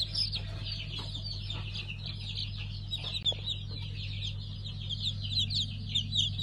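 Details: A brood of newly hatched five-colour pheasant chicks, 3 August 2019, gives a dense, fairly quiet chorus of high overlapping cheeps with a persistent low hum below.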